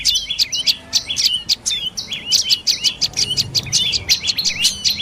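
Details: Dark-necked tailorbird calling in lowland forest of northern Thailand, rapid high chirping notes repeated about twice a second, each a sharp downward-sweeping chip with trailing buzzy elements, steady and loud throughout.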